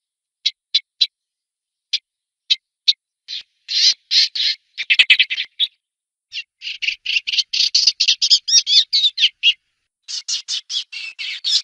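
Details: Eastern olivaceous warbler starting with sparse, sharp call notes, then breaking into a rapid, scratchy warbling song of chattering repeated notes that rise and fall with brief gaps between phrases.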